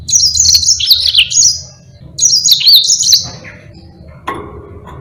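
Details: Yellow-fronted canary (Mozambique) in lively, continuous song, used as a master recording for training other birds; two bright high warbled phrases of rapid trills and slurred notes, the second ending around four seconds, then quiet with faint low background hum.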